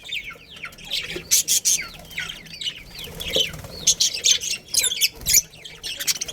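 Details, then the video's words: Breeding pair of budgerigars within a colony: continuous twittering warble of looping notes, punctuated by harsh, loud chirp bursts throughout. "Cute Budgies Chirping Sounds"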